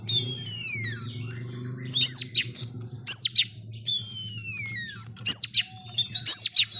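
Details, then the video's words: Agitated white-rumped shama, called a wild forest bird, singing long descending whistles alternating with harsh scratchy bursts and short rising notes, repeated about every second or so, with a low hum underneath. "KACER SETAN ALAS NGAMUK"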